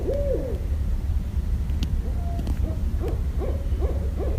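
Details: Barred owl recorded in Westchester, New York, on 5.1.17: a drawn-out descending hoot, then a quicker series of short hoots toward the end, over a steady low rumble of background noise.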